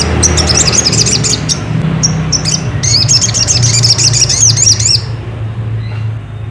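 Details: Ruby-cheeked sunbird (sogon) song used to goad another bird into singing: nearly five seconds of busy, high, wavering chirps and short looping notes, ending abruptly, above a constant low humming background.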